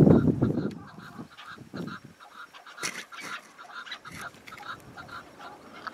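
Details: Wild chukar partridge in snowy spring mountains: series of rapid, harsh chucking notes, loud at first then continuing as a softer rhythmic chatter, with wind buffeting and other birds faintly behind.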